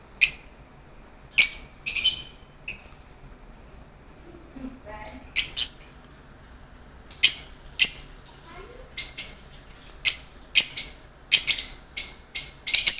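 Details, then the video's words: A lovebird gives shrill, harsh chirps and screeches in short bursts, about a dozen over thirteen seconds, with faint soft chatter between them. "lovebirds original sound"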